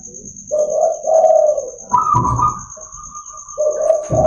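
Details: Morning song of a local zebra dove, played to lure and train other zebra doves: two rolling coos, a higher drawn-out coo note, then another coo begins, over a faint continuous high whine and some low thumps.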